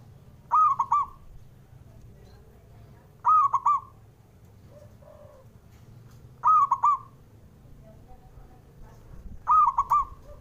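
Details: Male zebra dove calling, meant to wake up birds that rarely sing: four bright, rolling coo phrases at steady three-second intervals, with a quieter deeper coo heard in the background.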